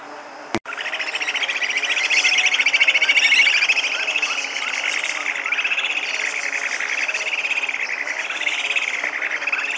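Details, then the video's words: Purus jacamar song: after a sharp click near the start, a dense run of rapid high chattering notes with short rising and falling inflections, overlapping as if several birds call together, loudest midway and easing toward the end. "O Canto do ARIRAMBA CASTANHA (Galbalcyrhynchus Purusianus) Bird Song - Purus Jacamar"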